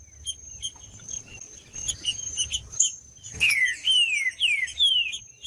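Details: Green-winged saltator singing to stimulate other saltators: quiet faint notes over a steady high thin tone, then four loud clear whistles, each sliding downward, given in quick succession.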